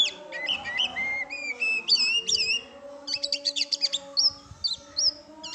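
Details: Varied song of an oriental magpie-robin: looping whistled notes, a rapid series of repeated chips, then clear rising whistles, with a faint low hum beneath.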